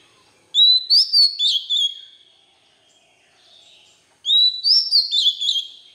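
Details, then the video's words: Song of a white-rumped shama for training young birds: two bright whistled phrases about 3.5 seconds apart, each a rising whistle followed by several quick, varied notes. "Luyện Giọng chòe than, ép giọng chòe than, cho chim non học giọng"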